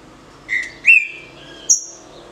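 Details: Caged green-winged saltator giving the 'de roda' canto fácil: three separate pure whistles stepping up in pitch, low, then middle, then a thin high note.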